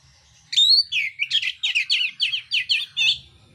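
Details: Fighting oriental magpie-robin of the mintal type with coarse filler song: one bright rising whistle, then a rapid train of about eleven rasping, looping chirps, evenly paced over two and a half seconds.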